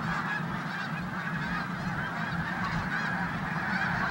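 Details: Snow geese in a corn field in Pennsylvania in December 2021, a dense flock chorus of overlapping nasal honks forming a continuous steady wall of calling with no pauses.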